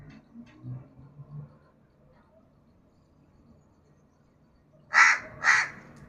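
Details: Crow giving two loud, harsh caws in quick succession near the end, preceded by several seconds of faint low background murmur.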